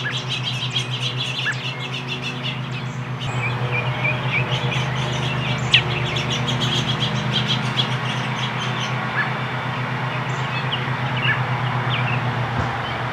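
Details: American robin feeding a fledgling chick: rapid, thin high chirps repeated several times a second, nearly buried under a loud, steady low rumble of passing traffic or a train.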